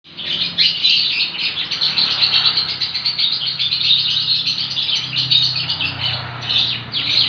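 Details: Young lovebird chick giving continuous 'ngekek' chatter: a dense, unbroken stream of rapid high chirps and twitters running for several seconds with a faint low hum beneath.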